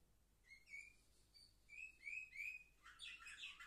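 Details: Canaries seven months old, filmed indoors on 10 November 2023, give soft rising whistled notes that swell into a dense, louder twittering warble.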